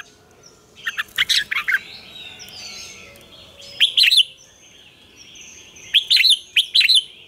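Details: Red-whiskered bulbul singing its morning lure song of double notes like an old wild bird: three separate bursts of clear, bubbling, warbled syllables with short pauses between, over faint high, thin background whistles.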